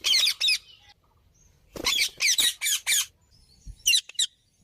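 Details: Indian parrot producing grating squawks in groups of two to four, with short pauses between bursts and occasional low thuds.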